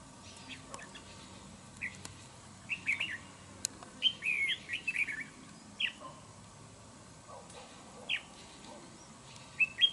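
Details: Wild-caught red-whiskered bulbul kept as a fighting trap bird, praised for its fine voice. Short warbled, slurred whistled phrases come in scattered bursts, with quiet gaps and a faint low background hum.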